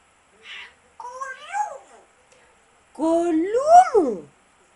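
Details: Talking grey parrot babbling in speech-like phrases, with tonal notes that slide up and then drop sharply, in short bursts separated by silence in a quiet room.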